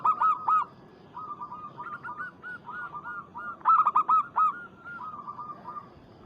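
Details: Local zebra dove calling a rival: a loud opening coo, then a long chain of bubbling notes that swells again midway and ends in softer, spaced coos.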